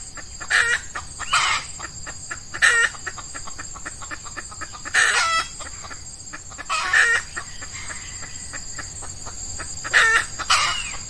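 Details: Decoy hen red junglefowl (F1) luring wild males in early morning during hot Ramadan weather in the males' breeding season: short, harsh, clucking bursts every one to three seconds over a steady high insect drone.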